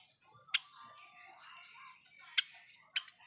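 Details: Pet Java sparrow (Padda oryzivora) gives a few sharp, dry clicks spaced irregularly, with a soft, low-level twittering warble running quietly beneath them.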